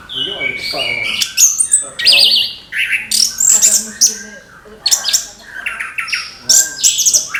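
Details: Orange-headed thrush singing in the morning to motivate young thrushes: a rich, dense run of varied whistles, fast chirps and buzzy twittered phrases, loud and continuous with brief gaps between bursts.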